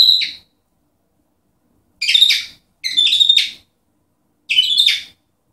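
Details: Pet cockatiel, kept indoors, making vocal sounds: four bright, harmonic bursts, the first alone and then three in quick succession about a second apart, each short and slightly buzzy, with silence between them.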